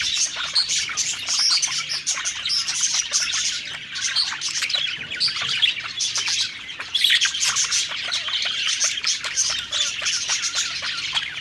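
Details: Several budgerigars singing happily while eating: continuous dense high warbling and chirping chatter, overlapping voices with no pauses and a brief dip near the seventh second.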